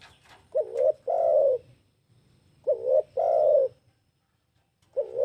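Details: Spotted dove cooing: a short wavering double coo followed at once by a longer, smooth, drawn-out coo, the low phrase repeated about every two and a half seconds, with faint low background rumble.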